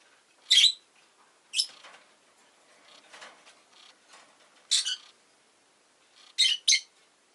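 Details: Rosy-faced lovebird kept as a pet, with city street noise around: sharp, high squeaky chirps, singly and then a quick pair, separated by quiet gaps with soft chatter.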